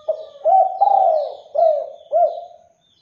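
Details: Spotted dove singing to lure other doves into replying: a close, loud series of five hollow cooing notes, the middle ones longer, ending in a fading tail, with faint high chirps in the background.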